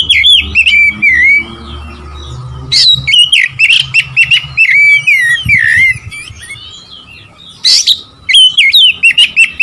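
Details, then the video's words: Kacer, the Oriental magpie-robin, sings to rile up rival males: rich fluty whistles that dip and rise, mixed with harsh sharp notes in short bursts, with brief gaps and a constant low background hum. "memancing emosi Kacer lawan"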